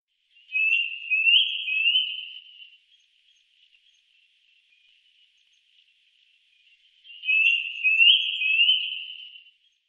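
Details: Eurasian nuthatch giving two short bursts of quick rising whistled notes, about two seconds each, separated by roughly four seconds of near silence.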